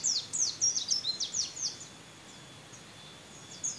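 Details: A trained competition white-eye sings canary-like phrases: a fast series of high, sharply down-slurred whistled notes in the first two seconds, then near silence with a few faint chirps over a low hum.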